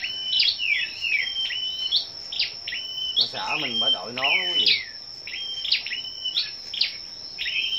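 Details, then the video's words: Scarlet-backed flowerpeckers gathered for competitive singing on the morning of 10 May deliver steady streams of high, thin ticking notes and short trills, with a man briefly speaking midway and a constant high whine. "Những Chú Chim Sâu Đầu Đỏ Siêng Hót Đấu"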